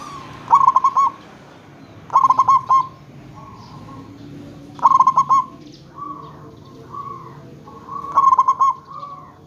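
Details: Local zebra dove calling as a lure so other zebra doves reply: four bursts of rapid, bubbling staccato coos, roughly every two to three seconds, with softer drawn-out coo notes in the gaps.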